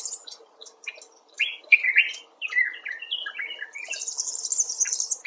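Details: Common bulbul, one of several rescued or wild birds, giving varied slurred whistled notes that rise and fall, ending in a sustained high thin buzzy sound.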